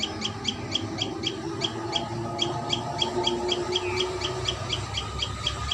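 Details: Common tailorbird at its nest, with brisk high notes repeated about three times a second in a slightly uneven rhythm over a soft background murmur.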